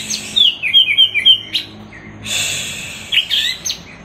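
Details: Orange-headed thrush in teler style, a tutor song for cage birds: a fast string of short sliding whistles, a pause, then scratchy, buzzy high phrases and a few clear notes.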